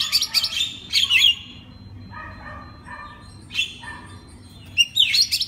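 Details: Magpie-robin master song played to get other magpie-robins singing: loud metallic rattled chips at start and end, with softer stacked twittering phrases between, against a quiet background.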